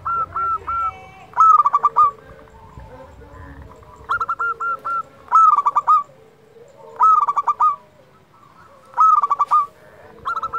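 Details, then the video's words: Local zebra dove singing steadily, used to coax silent doves into song: phrases about every two seconds, each a fast stuttering burst of bright, ringing notes followed by a few separate clipped coos, in a quiet setting. "Perkutut lokal gacor - Paling Ampuh Untuk Merangsang Bunyi"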